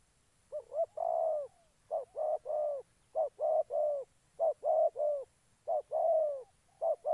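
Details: Spotted dove kept as a decoy for trapping in Gia Lai, Vietnam, calling in steady rhythmic bursts of two or three deep coos, the last note of each burst stretched slightly longer. The setting is otherwise quiet.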